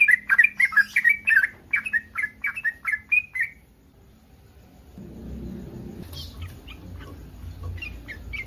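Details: Breeding-condition yellow-vented bulbul giving a mating call that draws responses from other bulbuls: a burst of quick liquid chirps for about three seconds, then near silence and faint distant notes over a low background hum.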